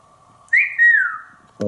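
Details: Pet male African Grey Parrot in a Texas family room, active on its perch beside its owner. It gives a sliding whistle that rises quickly and falls slowly. A short voice-like sound follows at the end.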